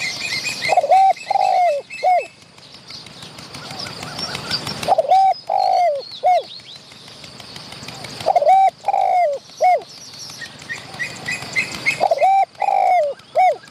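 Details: Wild spotted dove in Thailand, drawn in to chase and fight a decoy bird close to the hide, giving loud repeated three-part cooing phrases, each a rolled coo followed by short notes, every few seconds, with small birds twittering behind.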